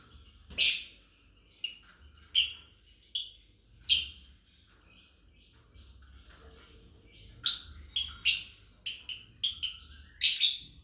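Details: Lovebird family chirping, used as master sound for training: a fast series of sharp high, harsh chirps, sparse at first then bunched rapidly near the end, with quieter twitter between bursts.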